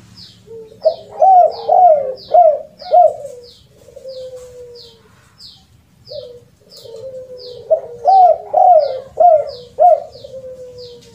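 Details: Spotted dove lure call with the rare kuk 2 and kuk 3 ending: each phrase opens with a drawn-out low coo, followed by four or five arched cooing notes, repeated twice, with regular high chirps from other birds throughout.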